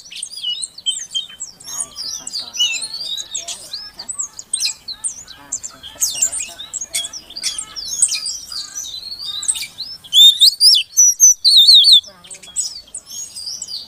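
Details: Calls of a female Oriental magpie-robin meant to get a quiet male singing: a long stream of crowded high chirps and warbled notes. It ends with strong, clipped whistles repeated in quick succession.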